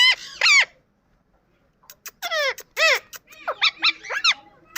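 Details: Two harsh squawks from an Indian ringneck parakeet, a second of silence, then a run of loud descending screeches and shorter rising-falling calls.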